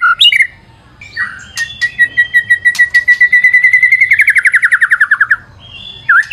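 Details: White-rumped shama in full song for luring: a few brief notes, then a long steady whistle that breaks into a rapid, rhythmic pulsing trill of about twenty notes, before more whistled notes at the end.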